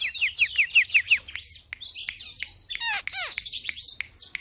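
Oriental magpie-robin song: a quick run of five or six bright falling whistles, then varied sweet slurs, buzzy notes and sharp high chips.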